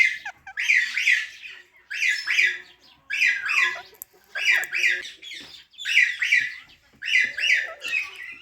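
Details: Parrot chirping in regular doubled raspy bursts, each pair followed by a short pause, repeating about every second.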